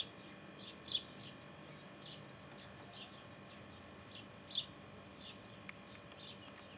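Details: Quiet, high, thin chirps from a sparrow at the nest. Brief downward-sliding notes come in loose clusters, with a couple of louder ones. A constant hum runs in the background.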